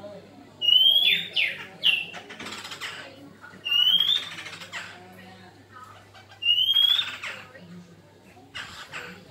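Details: Black-throated laughingthrush fighting song: short, loud rising whistles with harsh buzzy bursts, repeated in phrases about every three seconds, with quieter pauses between them and a faint low hum in the background.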